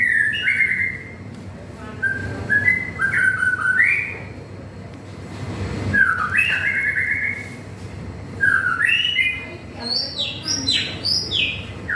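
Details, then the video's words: White-rumped shama singing on an afternoon of light drizzle: varied whistled phrases, with short steady notes and quick upward and downward slurs, rising higher toward the end, over a constant rumbling background noise. "kicauan burung murai di sore hari yg sedikit gerimis"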